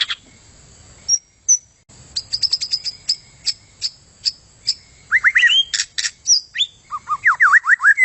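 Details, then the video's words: White-rumped shama song for contest bird training: opening high ticks repeated in a quickening series, then loud clicks and a run of looping whistled slurs. "SUARA Murai Hutan bagus buat isian Kontes"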